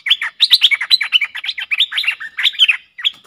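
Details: Streak-eared bulbuls, a pair in a fierce song duel on 30 October 2021: unbroken, fast chattering of bright, rising and falling chirps for about three seconds.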